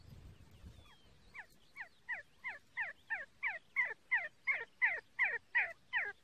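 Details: See-see partridge giving a steady series of short, downward-slurred whistled notes, about three per second. The notes start soft after a brief low rumble and grow steadily louder and more even.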